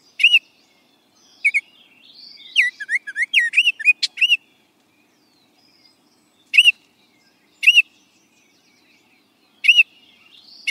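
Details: Baltimore Oriole whistling a rapid burst of varied rising and falling notes, then spaced single clear notes every one to three seconds, with no other sounds.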